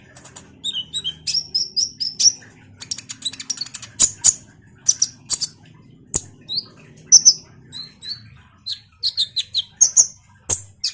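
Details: Energetic chattering of a common iora, played as a lure for kolibri ninja birds: rapid high twittering runs and short whistled slurs, broken by loud clicks, with a faint low hum beneath.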